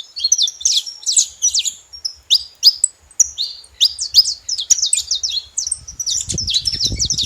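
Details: Emphatic high chirps from a saffron finch, first in spaced pairs and triplets, then in a quicker twittering run; a low rumble rises near the end.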